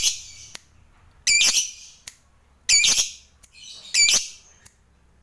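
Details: Lovebird fighter on a recording used as a lure for other lovebirds; three loud, harsh, buzzy squawk bursts about a second and a half apart, separated by softer short chips.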